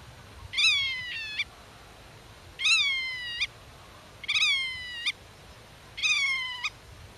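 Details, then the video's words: Black-tailed godwit defending its nest, talking with chicks hidden in the grass and warding off intruders from its territory: four long, nasal, rich-toned calls, each slightly falling and lasting under a second, given about every 1.7 seconds. "Rycyk w obronie gniazda - Limosa limosa"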